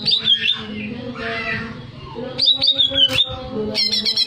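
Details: Song of a greater green leafbird, meant to raise breeding arousal: bright bouncing whistles at the start, a run of looping whistled notes midway, a sharp crackling burst near the end, low steady hum beneath.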